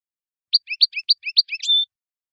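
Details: Algerian European goldfinch singing in the khelwi style: a short phrase of alternating high chirps and lower slurred notes ending in a drawn-out, buzzy whistle, on a quiet background.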